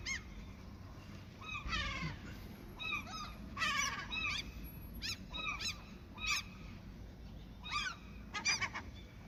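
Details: Several gulls in their territory, being given food, call in scattered bursts of yelping, wavering cries, some rapid and stuttering, over a steady rush of outdoor noise.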